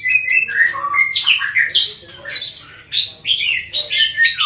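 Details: Male white-rumped shama with a long tail, praised as a good singer, pouring out a loud, fast medley of whistled, slurred notes jumping between high and low pitches with scratchy chatters, nearly continuous over four seconds.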